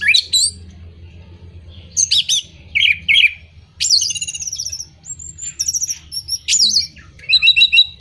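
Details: Orange-headed thrush song aimed at moulting or non-singing birds: varied bursts of high trills, mimic-like chatter and whistles separated by pauses, with a low background hum.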